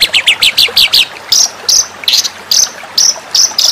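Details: White-rumped shama song used as a master recording for training contest birds: a run of six sharp high chirps, then a series of brighter, higher whistled notes repeated about every half second.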